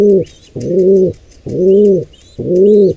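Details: Wild pigeon near a nestling under attack by an intruding pair, giving deep, rounded coos about half a second long at a steady pace, over thin rising squeaks in the background.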